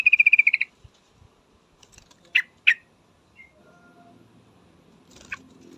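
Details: Female yellow-vented bulbul calling a male: a quick run of about eight sharp, evenly spaced notes, then two separate harsh squawks and faint low knocks.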